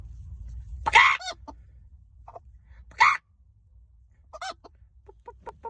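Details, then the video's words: Chicken giving loud, harsh, broadband squawks in three separate bursts, with faint short clucks in between against a quiet background. "Loud chicken noises"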